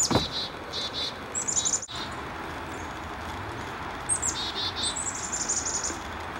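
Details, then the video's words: Chickadees give two bursts of high, thin, rapidly repeated alarm notes near the end of a session mobbing a hawk, probably a Cooper's Hawk, over a steady hiss and camera grinding noise. "Chickadee Mobbing Hawk"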